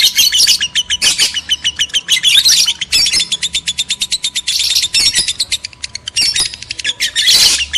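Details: Excited lovebird twitter played to prompt mating in males and females: bursts of shrill squeaky chatter alternate with short runs of evenly spaced sharp chirps.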